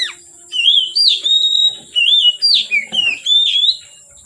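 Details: Oriental magpie-robin singing from afternoon until dark: loud, evenly spaced whistled phrases, each slurred and slightly falling, with sharp clicks between them and a steady high background whine.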